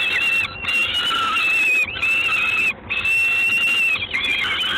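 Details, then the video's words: Peregrine falcon, Gdańsk, Poland, evening of 3 June 2016: long, drawn-out whistled wails, each held steady for about a second, separated by short gaps, four main calls in succession. "Sokół wędrowny"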